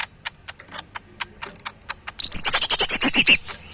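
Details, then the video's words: Tame captive cucak mini bulbul singing strongly: a run of dry clicks, then a fast burst of about a dozen loud, high, evenly spaced piping notes in quick succession. "burung cucak mini gacor full yang terbaik"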